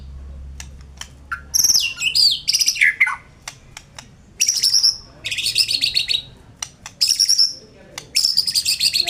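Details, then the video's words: White-rumped shama in full song: loud, varied bursts of high, rapid, buzzy trills and sweeping whistles come in phrases about a second long, separated by sharp clicking notes and brief pauses. "Burung murai batu"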